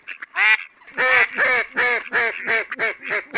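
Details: A Mallard (Anas platyrhynchos) gives a run of about eight loud, nasal quacks, each harsh and buzzy, coming roughly three per second after a couple of softer opening notes.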